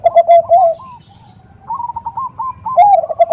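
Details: Perkutut (zebra dove) lure recording with a big 'khung' voice, a female calling the male in the 'nutut' style. Rolling low coos, a pause of softer higher clipped notes, then the bubbling low phrase returns.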